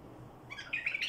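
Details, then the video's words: Badrawi bulbul song: after a near-silent start, a quick series of bright chirped notes climbs in pitch, each short and slurred, growing louder toward the end. "برواز بلبل بدراوي"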